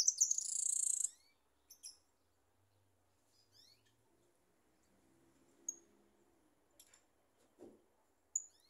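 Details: Goldfinch singing: a dense burst of high, bright twittering opens the recording, followed by scattered short chirps and thin high notes with long pauses between them.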